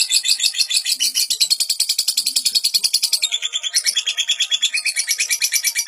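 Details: Lovebird singing continuously without pause, recorded as a training master for young lovebirds; dense, high, rapid chattering twitters pulse about twice a second, shifting into rougher, broken trills halfway through.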